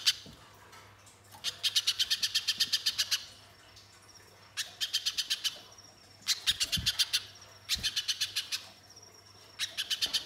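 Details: Spiderhunter singing as a lure to get other birds to sing: four fast bursts of piercing, high, evenly repeated chirps lasting one to two seconds each, with a faint thin whistle between bursts.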